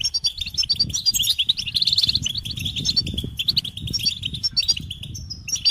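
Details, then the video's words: Loud goldfinch song: rapid repeated chirps, a buzzy rattling trill and jingling phrases, delivered energetically over low background rumble. "Experience the Goldfinch Singing"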